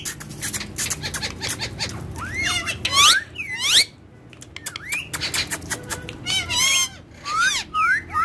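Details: Indian ringneck parakeets, pets having fun on a table and reported to speak Urdu and Hindi; busy clicking and ticking broken by loud, rising, harmonic squawks and curling whistled notes, inside a small room.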